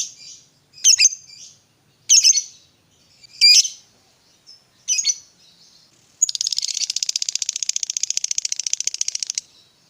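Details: Fighter lovebird mixing ngetik and ngekek, meant to stimulate a quiet lovebird: five sharp, spaced ticking chirps about once a second, followed by a three-second fast buzzy chatter.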